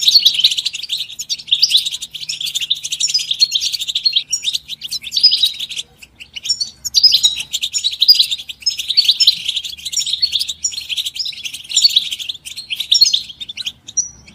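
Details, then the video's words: European goldfinches chirping together, calls said to stimulate caged males to sing and break their silence: long stretches of fast, jangling twitter and buzzy trills, with one brief pause near the middle. "بتبتة الحسون تحفيز الحسون على التغريد والهيجان علاج صمت الحسون goldfinch stimulation"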